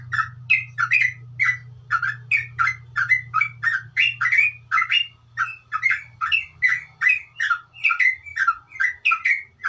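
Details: Sooty-headed bulbul, locally trucuk, in sustained ngeropel song, a long run of short harsh slurred phrases repeated two to three times a second without pause, with a low droning hum underneath.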